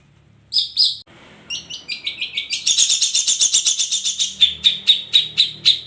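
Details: The long-tailed shrike opens with two shrill notes, then an accelerating series of short notes that builds into dense, rapid, harsh chatter repeated about twice a second.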